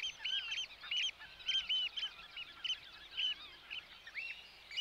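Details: More distant Eurasian oystercatcher in Holland, sending out clear, shrill piping notes in short groups with small gaps, over a noticeable background hiss.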